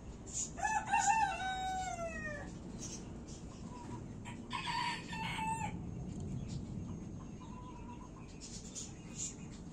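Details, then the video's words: Gold Silkie rooster, a fluffy-plumaged chicken breed, giving a hoarse, descending crow with strong harmonics in the first two seconds, then short, quieter nasal calls and a brief buzzy burst over a steady low background hum. "Gold Silkie Rooster Renkli Habeş Tavuğu-Sarı Habeş Horozu"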